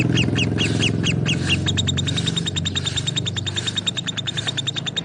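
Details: Lovebirds chirping in rapid, evenly spaced bursts of high, clipped notes, first louder and harsher, then a steady fast chatter. A low steady hum sits under them.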